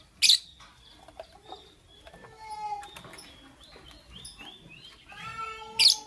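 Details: Lovebird chirping at morning time: a harsh screech opens, then a stream of quick rising twitters and squeaky tonal notes, and a second loud screech closes.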